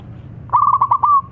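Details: Local zebra dove in full song, a long song meant to prompt birds still reluctant to sing: a rapid run of about seven pulsed cooing notes ending in a drawn-out level coo.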